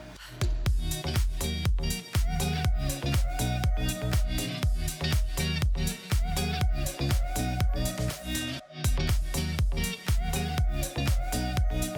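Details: A driving dance track with a strong, regular bass beat fills the whole recording. No animal calls can be picked out beneath the music.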